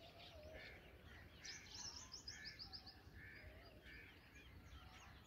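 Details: Black drongo chicks being fed by an adult give harsh, raspy begging notes mixed with a quick run of high, thin chips, over a steady low rumble of background noise.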